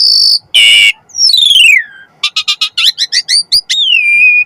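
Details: Jalak suren, the Asian pied starling, in a song meant as a training and trigger recording for other starlings: a high whistle, a harsh buzzy burst, a long falling slur, then eight quick clipped notes and a steady whistle.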